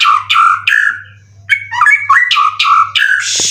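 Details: Caged competition white-rumped shama, a twelve-time contest winner that has moulted three times, singing loud varied phrases of clear whistles with chattering notes, some rising and some falling, spaced by short pauses, over a steady low hum.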